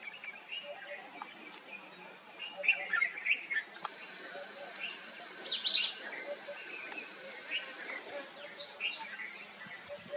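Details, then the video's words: Family group of sunbirds giving thin, high chirps and short twittering notes scattered irregularly, with a brighter, sharper burst near the middle, over a steady high hiss of background insects. "Cute Sunbirds Family"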